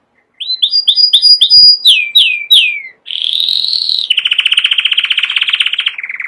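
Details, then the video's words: Canary singing a series of short repeated whistled upslurs, then three falling sweeps, followed by long fast rolling trills at lowering pitch. "#chant canari magnifique #lagu kenari yang luar biasa #magnífico canto canário #muhteşem kanarya"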